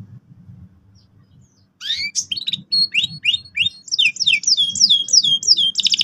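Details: Canary tutor song for young birds: after a quiet start with low hum, sharp sweeping notes and varied chirps begin, speeding into quick repeated slurred notes and a final buzzy burst.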